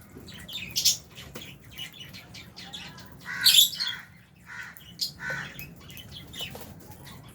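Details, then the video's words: Albino and Fisher's lovebirds eating food in an aviary shared with budgies: scattered sharp, shrill chirps and short squawky bursts at irregular intervals, several birds calling over a low background hum. "Lovebirds Chirping Sounds"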